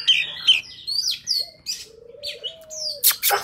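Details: Wild forest song of an Oriental magpie-robin, used for trapping and training young birds' voices: a few whistled slurs and warbles, a long low coo from another bird, and a burst of rustling noise near the end.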